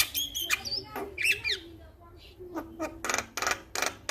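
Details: Male Javan myna, a training recording meant to set other mynas singing: scattered harsh clicks and short squawks with a brief wavering whistle, then a run of loud rasping bursts near the end.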